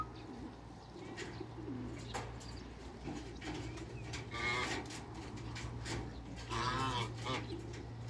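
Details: Backyard group of three Toulouse geese, two males and a female, released after a crate; scattered clicks and noise, then two harsh harmonic honks around the middle and late in the stretch, with a constant low hum beneath.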